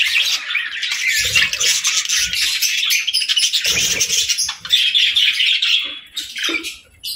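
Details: Several budgerigars chirping while playing in the evening: dense, continuous high chatter and warbling with overlapping squeaky notes, a few louder chirps, and occasional soft low thumps and fluttering.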